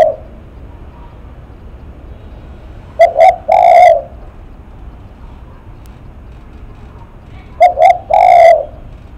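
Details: Face-shaking spotted dove cooing loudly at close range. Two phrases, each two short staccato coos then a longer rough coo, are spaced by about five seconds of near silence.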